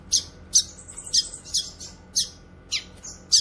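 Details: Grey-cheeked bulbul, recorded for teaching caged birds and drawing in wild birds: harsh, scratchy notes repeated roughly every half second, with one thin high whistle between them.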